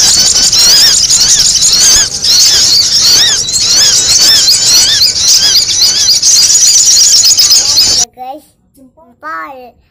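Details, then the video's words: Noisy sogon calls meant for luring: continuous shrill squeaky chatter of quick twitters for eight seconds, then a few quieter, clearer downslurred notes at the end. "SUARA SOGON RIBUT UNTUK PIKAT"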